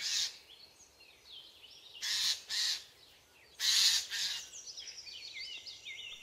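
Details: Two alarmed Eurasian jays near their nest in spring give four harsh, raspy screeches at an approaching ornithologist, two close together, with thin high twittering from another small bird between them.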